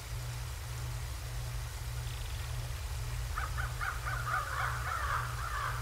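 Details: Bald eagle at the Decorah North nest, recorded by a live cam on the morning of 7 January 2024: after quiet hum, a rapid chattering series of high piping notes breaks out and runs into a longer squealing trill.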